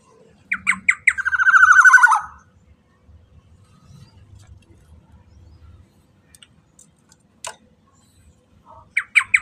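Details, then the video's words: Black-naped oriole, kepodang emas, in a lure recording meant to set other orioles singing: clipped nasal notes run into a loud grating trill lasting over a second, then faint rustling and knocks, and the song starts again. "KICAUAN KEPODANG EMAS"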